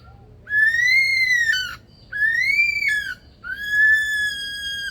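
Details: Male superb lyrebird in the Australian Rainforest Aviary at Adelaide Zoo, South Australia, doing impersonations: three loud, drawn-out pure whistles, each about a second long, arching up then sliding down, separated by short gaps.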